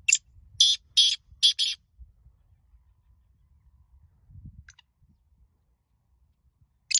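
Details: Black francolin (Francolinus francolinus) calling on 12 January 2023, apparently in a one-to-one calling match between two birds: a harsh, grating phrase of five quick scratchy notes, a faint note, then another burst, over a low rumble.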